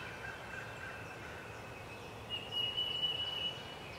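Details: Eastern phoebe at Clyde Shepard Nature Preserve on March 28, 2017: a single short, buzzy, rasping phrase on an even pitch near the end, over steady outdoor background hiss.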